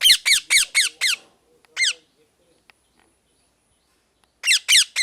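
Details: Loud parrot calls: harsh, downward-slurred squawks in a quick burst of five, a lone squawk, then another rapid series after a pause of near silence.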